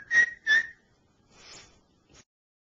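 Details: Pet male cockatiel rehearsing "Dixie": two loud clear whistled notes, followed by a soft breathy rustle and a short click, then silence.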